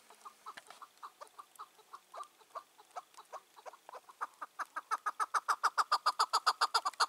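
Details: Wild chukar partridge, about five or six years old, caught and released two years earlier, calling on the evening of 4 June 2023; a free-roaming bird dominant in its area. Scattered chuck notes build into a loud, fast, regular series of clucking notes.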